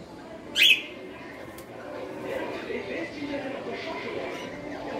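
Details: A cockatiel aged 5-6 months, kept at home, gives one brief, sharp, rising screech, followed by a low indoor murmur.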